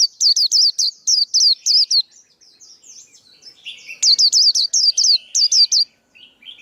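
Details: Male white-eye singing, kept as a lure for trapping and a model for young birds: two rapid series of loud, piercing high notes with softer, lower twittering between them.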